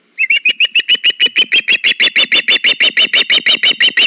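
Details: Osprey at a nest cam, August, as the male delivers a fish to the female: soft opening notes build into a loud, steady series of shrill whistled chirps, about three each second.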